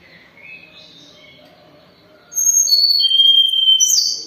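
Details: Sunda robin in moult, still singing steadily: after two seconds of quiet background murmur, loud pure whistled notes step downward in pitch, ending in a brief buzzy rising flourish.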